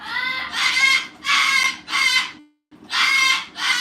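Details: A female rescue umbrella cockatoo yells in loud, harsh, raspy bursts, five of them in under four seconds, with brief pauses between, a little like a clucking chicken.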